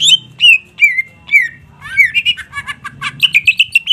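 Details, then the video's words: Greater green leafbird in vigorous song: a few spaced, clear downslurred whistles, then an accelerating run of rich warbled and chattering notes, over a low steady background hum. "Merinding DENGER Cucak Ijo GACOR tembakan kluar semau"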